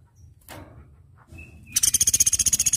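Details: Flowerpecker (platuk beras) in a tutor recording for training cage birds: a short thin whistle, then a loud, rapid, buzzy pulsed trill of about twenty even beats, high-pitched.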